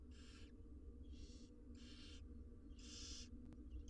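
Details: Wild barn owl nestlings, six sharing a monitored nest box, rasp and hiss as they are fed, four broad snoring bursts spaced about three-quarters of a second apart above a low constant drone.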